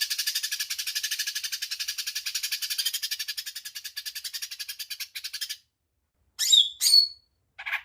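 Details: Greater green leafbird (cucak ijo mini) giving its 'tembakan' rapid-fire song, described as agitated and singing freely: dense buzzy rattle of fast repeated high notes for over five seconds, then a pause and three short harsh bursts with a whistled slur.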